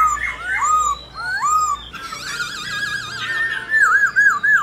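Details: Forest-style song of a laughingthrush: rich, slurred whistles rising and curling, followed by a sustained warbling trill, then closing with several quick looping whistled notes.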